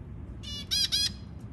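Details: White zebra finches feeding their newborn chicks; a short burst of harsh, raspy, harmonic squawks in three quick pulses within under a second, over a low steady background hum.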